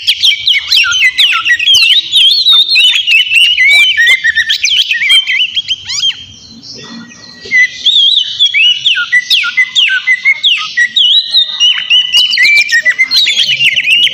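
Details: Oriental magpie-robin in vigorous song to provoke a rival: long runs of high, mixed whistles, trills and harsh chatter, briefly pausing midway before resuming just as intensely.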